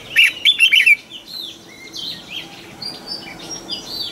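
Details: Red-whiskered bulbul, a decoy bird singing in the morning to make other bulbuls sing: a loud burst of quick warbled whistles opens the clip, followed by fainter scattered chirps and whistles from other birds.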